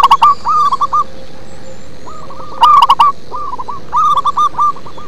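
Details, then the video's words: Local zebra dove singing in a deep, bass-toned style: short ringing cooing notes in quick rolling phrases, some bursts louder and harsher, with pauses between phrases and a faint steady hum behind. "Perkutut lokal manggung ngebas"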